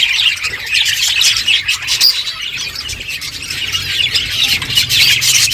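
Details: Budgies feed and chirp together in a busy, continuous chatter of high scratchy notes and short squawks, with overlapping voices throughout.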